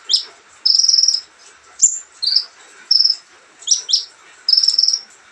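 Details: Olive-backed sunbird singing leisurely, mixing long dry buzzy trills with sharp high chips and a quick down-slurred note pair.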